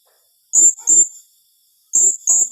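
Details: Blue-crowned hanging parrot giving a tembakan rapat, a rapid tightly spaced call style: two pairs of shrill, very high thin notes, each pair fired in quick succession, about one and a half seconds apart, on a silent background.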